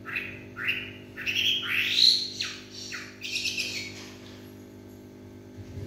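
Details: A Chinese hwamei sings in the evening with loud, rich whistles, several steeply rising notes followed by quick downslurs, then a buzzier trailing phrase that fades out.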